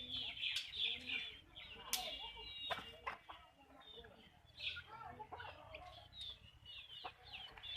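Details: Hens clucking on a backyard chicken farm, many birds together; short nasal clucks and thin rising chirps come in irregular bursts, with a few sharp clicks and knocks in the background.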